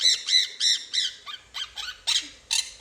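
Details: A female pet monk (quaker) parakeet imitates laughter when her owner asks her to laugh: about eight harsh, nasal 'ha' notes in quick succession, roughly three per second, with the person's voice nearby.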